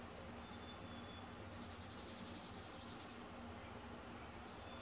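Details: Bald eagle call: a quick run of high, squeaky chittering notes lasting under two seconds mid-clip, with a few softer high chirps before and after against a low rumbling background.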